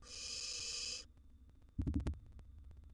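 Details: Wild barn owl nestling in a nest box eating a big gerbil gives one long coarse hiss, then a burst of loud scraping and knocking.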